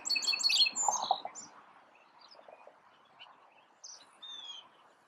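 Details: A small male sparrow singing, finally caught on video: a quick jumble of bright, high chirps for about a second, then a few softer scattered notes and a short burst near the end.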